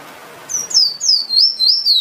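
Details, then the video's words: Finch, locally called emprit, singing a string of high, thin whistled notes that slide downward, each phrase lasting about a quarter second and repeated in quick succession. "Bird Finch/Emprit Singing Power"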